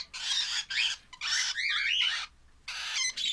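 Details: Harsh, hoarse squawks from baby lovebirds come in long noisy bursts of about half a second, broken by short pauses, with wavering whistled tones threaded through the rasp.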